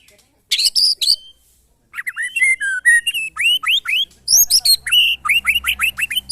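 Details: White-rumped shama tested against neighbours' birds for fighting spirit; bright song of crisp whistled slurs, ending in a run of repeated rising whistles, each about a quarter second apart.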